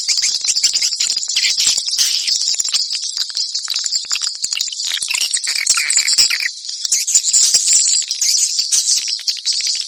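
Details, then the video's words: High, rapid twittering from many swallows, a dense chatter of clicking chirps that briefly softens near the sixth second before resuming strongly. "ang pinakamagandang swallow call sound"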